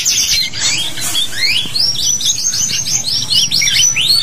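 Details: Canary singing long 'cuit cuit' phrases for tutoring young canaries to start singing. Rapid high upward-curving chirps repeat in quick succession, forming a bright, rolling trill with a few sharper notes near the start.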